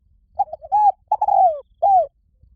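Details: Cooing spotted dove: brief hesitant introductory notes, a rich extended coo that droops in pitch, and a final rounded coo after a pause, with a near-silent background.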